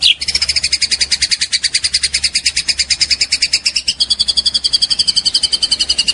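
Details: A young white-rumped shama (trotol) gives a long, steady, rapid rattling trill of high pulsed notes lasting over six seconds, shifting slightly lower partway through.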